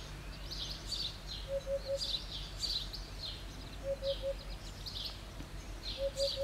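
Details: Eurasian hoopoe on a roof tile repeating its insistent song: three mellow low 'poo-poo-poo' notes roughly every two seconds, against a chorus of sharp high chirps from other birds.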